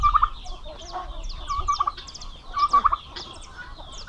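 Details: Male domestic turkeys kept together on a farm in Paraná, Brazil, where the aggressive males fight: rattling gobbles burst out in quick clusters, answered by higher squeaky calls from other fowl, with low rumbling background noise.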